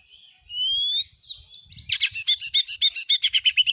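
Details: Oriental magpie-robin in vigorous 'gacor nembak' song used as a lure to provoke other magpie-robins: a long rising whistle, then a fast burst of sharp repeated chattering notes, about four per second.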